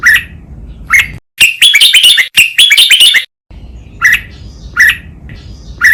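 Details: For teaching caged red-whiskered bulbuls, a 'lak wai' double-phrase master song: isolated sharp chirps open, two fast stuttering warbled bursts follow back to back, and evenly spaced single chirps close.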